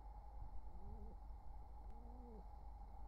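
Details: Wild pigeon pair courting near their nestlings in summer 2023: two soft, low, arched coos about a second apart over a steady background hum.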